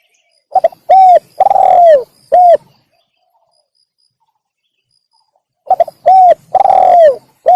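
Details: Spotted dove luring call for wild doves: a phrase of a stuttered start, a clear coo, a long falling rolling coo and a short last coo, then a long pause before the phrase repeats.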